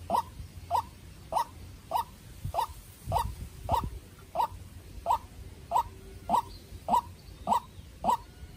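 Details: White-breasted Waterhen decoy bird in an intense duel with a wild bird: thirteen crisp rising notes at a very regular pace, about one every 0.6 seconds, over a quiet low hum.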